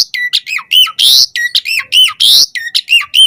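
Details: Asian pied starling in full, chatty song with varied borrowed phrases while pumping, used as a lure to provoke other starlings to answer: loud alternating buzzy rasps and bright whistled notes with bouncing harmonics, in quick bursts about every third of a second.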